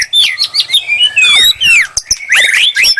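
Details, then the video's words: Loud, rich warbling from a white-rumped shama used to provoke a reply, with looping whistled slurs, a long downward-sliding phrase and sharp clicks between bursts. "murai lansung moncer nglabrak penuh nyali"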